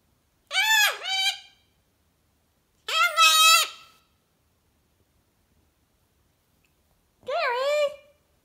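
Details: Goffin's cockatoo kept as a pet, vocalizing indoors with its owner: three harsh, harmonic squawking bursts, each under a second long and separated by pauses, with a man speaking briefly afterward.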